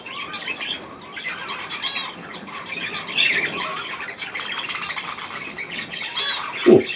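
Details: Young budgerigars given millet, 3 May 2024: softer scratchy chatter and squeaky warbles from several birds, ending with a person's voice calling them over.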